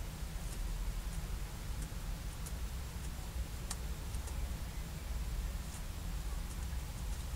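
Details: Steady low rumble fills the recording, with scattered faint ticks and clicks and no animal voice.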